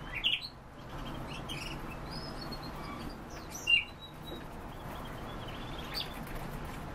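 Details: European bee-eater, kept birds: two short, bright, trilled calls near the start and again around the middle, separated by a long gap, with fainter high chirps and steady low background hum throughout.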